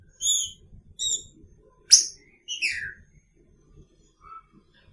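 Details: Caged green-winged saltator sharing its cage with a female, Picharro song style: short whistled phrases in quick succession, a sharp click-like note, then a longer descending slurred whistle, with soft low background noise throughout.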